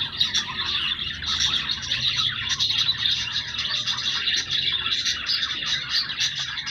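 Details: Pet Australian budgerigars give a rolling stream of squeaky, warbled chatter with scattered sharper chirps, against a quiet low indoor hum.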